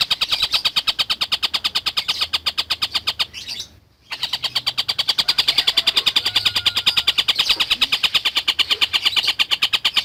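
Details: A collared kingfisher calling persistently, recorded as tutor material for lovebirds: rapid, loud, even-paced harsh notes repeated continuously, interrupted once by a short pause before resuming just as fast.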